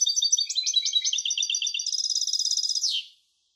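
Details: Lively song of a European goldfinch hybrid, with varied high chirps and twitters leading into a rapid buzzing trill that drops away at the end, followed by silence.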